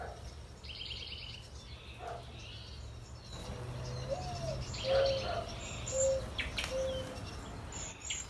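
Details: Male mourning dove calling to attract a mate in a Southern California garden while cedar waxwings feed on pyracantha berries: a soft, low coo slurring upward, then three even hoots about a second apart, with thin high waxwing notes above and background hiss.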